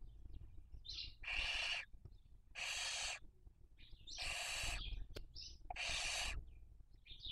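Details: Barn owl recorded by a nest camera in Cabañeros National Park, Castilla-La Mancha, Spain, while raising young in the 2023 breeding season: a run of five coarse hissing screeches, each under a second, spaced about every second and a half, with short high squeaks between.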